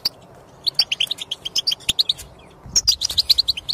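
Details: Goldfinch song intended to get a non-singing European goldfinch to sing: rapid liquid twitters and sharp chirps in a lively run, a brief gap, then a faster burst of high tinkling notes.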